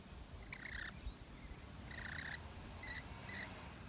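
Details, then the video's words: Rainbow lorikeet feeding on nectar in a red flowering gum in Melbourne in summer, January; short harsh screechy notes in four separate bursts, the first and second longer, over a faint steady background hiss. "Rainbow Lorikeet in a Red Flowering Gum (Corymbia ficifolia)"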